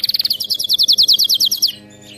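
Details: Canary song meant to coax a pet canary into singing: a bright, fast trill of high repeated notes that slows slightly into longer slurred notes before stopping.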